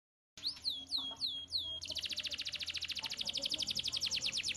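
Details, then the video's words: Canary in full 'gacor' song in the 'cengkok mewah' style: four high descending whistled sweeps, then a fast, even, buzzy trill of about twelve notes a second holding steady to the end. "Suara Burung Kenari Gacor cengkok mewah"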